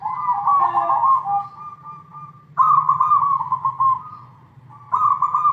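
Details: A zebra dove (perkutut, Geopelia striata), a kept bird, gives three bouts of soft, rapidly trilled cooing, each lasting about two seconds, over a low background hum.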